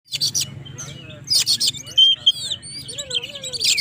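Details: Oriental magpie-robin, a chattering gacor bird singing to provoke rivals; rich varied phrases of high whistles, slurred notes and bursts of harsh broadband chatter, with a low steady hum beneath.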